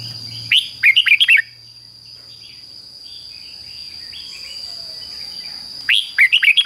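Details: Red-whiskered bulbul in the fik-jik-fok 'double' song style, used to teach young caged birds. A fast burst of four sharp whistled notes opens the clip, then a long quiet gap, then another similar burst near the end.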